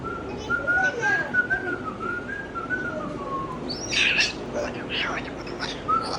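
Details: Pet Moluccan cockatoo whistling indoors: a long wavering whistled phrase that rises and falls, then sharp harsh squawks and a short whistle at the end; a person's voice nearby.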